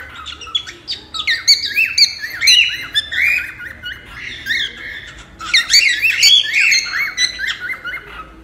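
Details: Cockatiel voice for taming a cockatiel: a dense run of harsh chirps and short squawks with bent, up-and-down notes, loud bursts at the start and after a lull midway, the chatter thinning toward the end.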